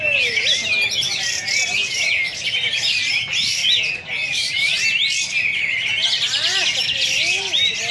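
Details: Champion kapas tembak bulbul performing besetan song at a contest launch in Singkawang, Indonesia: unbroken torrent of fast, sharp whistled twitters and slurred notes, with faint lower murmuring voices beneath.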